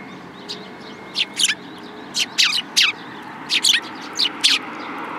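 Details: Sparrows coming for food and competing for a spot on a hand at a Tenmangu shrine, 3 May 2022: loud, sharp chirps in quick bursts, about a dozen notes over five seconds, with a steady low hum behind.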